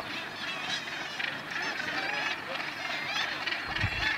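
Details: Northern Gannets with a chick at the Bempton Cliffs breeding colony, East Yorkshire, 28 July 2012: a dense, continuous din of harsh, grating, rapidly overlapping calls with no quiet gaps.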